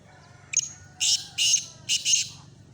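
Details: Black francolin call recorded in Khushab: a brief lead note followed by three loud, rasping, high-pitched bursts in quick succession against a faint low hum.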